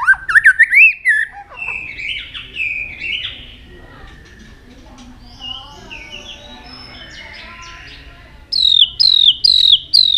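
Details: White-rumped shama singing many voices and switching tunes as it flicks its tail continuously; rising whistled notes open, soft warbling follows, then a loud run of repeated sweeping whistles at the end.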